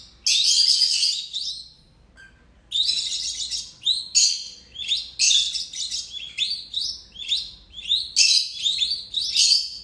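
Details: Two pet lovebirds chatter in rapid bursts of shrill, high chirps and harsh squeaks, one bird after another with brief pauses between.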